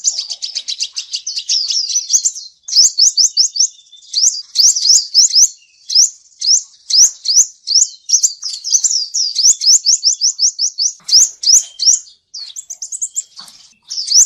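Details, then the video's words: Male seven-colour sunbird in nearly nonstop song, a recording used for luring birds into traps: very high, rapid strings of sharp upslurred notes, repeated in dense trilled phrases with only brief breaks. "Tiếng chim hút mật 7 màu trống dùng đi bẫy chuẩn"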